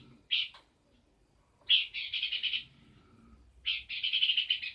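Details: Peor bird in energetic song: a single sharp note, a silent gap, then two bursts of fast chattering twitters, each under a second long, separated by a pause.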